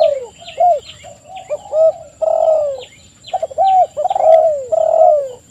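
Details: Spotted dove cooing, low falling phrases from several birds, with thin high chirps of small birds scattered across the first half and near the end.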